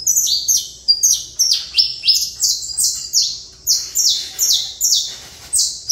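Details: Saffron finch delivering evenly spaced, loud downslurred notes, roughly two per second, each a bright falling whistle, in a clean steady rhythm.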